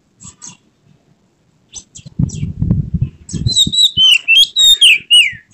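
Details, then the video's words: Oriental magpie-robin (kacer) in emotional display: a few soft high chirps, a burst of low rustling or fluttering, then loud, fast whistled and sliding song phrases to the end. "Kacer mana yang tak mau respons dengar kacer ini | buka ekor bongkar isian penuh gaya emosi"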